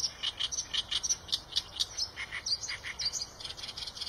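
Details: Eurasian tree sparrow calling steadily: bright, short chirps repeated about three to four times a second throughout.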